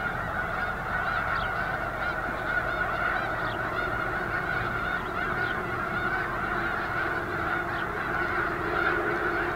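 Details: Many snow geese massed at Eagle Scout Lake in February 2024, calling together in a continuous wall of honking; individual higher yelps rise briefly above the constant droning din.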